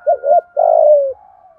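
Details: Spotted dove used as a decoy, calling to provoke wild birds: two short hoarse coos followed by a longer, drawn-out, falling coo, with a faint trailing note and a thin steady tone in the background.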